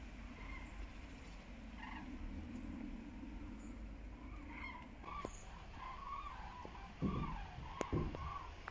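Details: Migrating common cranes flying over Frankfurt am Main-Preungesheim, Germany, heading west-southwest on 17 October 2023 at 14:45 under cloudy, hazy skies, smartphone recording; distant trumpeting calls with harmonics, several in a row, over steady traffic rumble.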